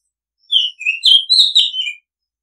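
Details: Oriental magpie-robin song: about six linked whistled notes, rising and falling, with a scratchy texture at mid-phrase. The setting is otherwise silent.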